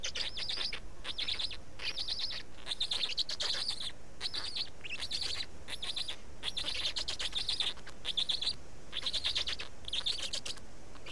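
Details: Black storks in Estonia being fed at the nest, 19 May 2019, 15:43; steady series of dry, quickly repeated rasping bursts, roughly one each second, with brief pauses between them.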